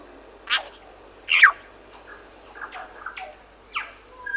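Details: On Little Barrier Island, New Zealand, a bellbird gives scattered song notes: two loud sharp downward strokes followed by softer short whistled and clicky notes, with constant high-pitched background hiss.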